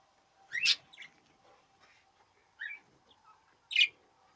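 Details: Budgerigar calls from the 2017 breeding season, three short bright chirps spaced about a second or more apart, with a steady faint low hum underneath.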